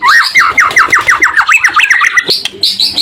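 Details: White-rumped shama in song to incite rival shamas to reply: a rapid string of rising slurred notes, roughly four per second, followed by higher buzzy phrases.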